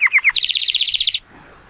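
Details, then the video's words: Timbrado Español canary, a male born in 2018 and rated 83 points, singing on a sunny day: three quick falling notes, then a fast buzzy rattle of about fifteen even pulses that stops abruptly. "The most PLEASANT Canary training song"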